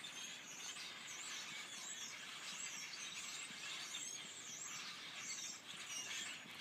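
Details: A flock of grackles in a tree, calling together in a dense chorus of squeaky, creaky notes likened to rusty door hinges, with many overlapping high whistles and squeals filling the air continuously.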